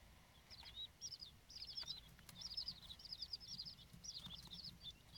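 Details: King quail chicks hatched 16–18 May peeping together: a busy stream of thin, high, rapid cheeps, overlapping almost without pause, over a low background hum.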